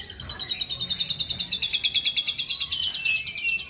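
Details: Mimicking other bird species, an Asian pied starling delivers a quick chattering trill of high, sharp notes that drift downward, with a brief clear whistle near the end.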